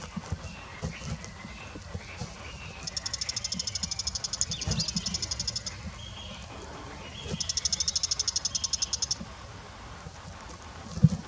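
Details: Bull-headed shrike calling in two separate bursts of quick, high, ticking chatter, each lasting about two seconds, with rustling and low outdoor noise between them.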